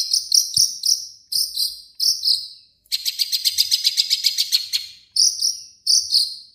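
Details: Long-tailed shrike singing its own native song variants mixed with imitations of other birds; short bursts of harsh, buzzy high notes repeated in phrases, with one longer rapid trilling run in the middle.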